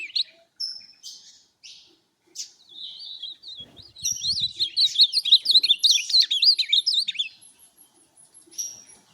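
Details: Ultramarine grosbeak, a tournament bird, opening with a few separate high chips and short notes, then a burst of quick, tumbling warbled phrases, then trailing off to a last high note.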